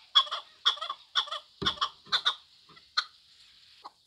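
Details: Six loud, grating chuk-ar notes from a Chukar partridge at half-second spacing, then the calling thins to a few faint, isolated notes in near silence.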